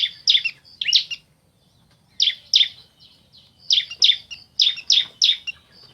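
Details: Bar-winged prinia pair, male and female, calling back and forth: paired sharp high chips, then gaps, then clusters of three to four chips near the end, over a faint low hum.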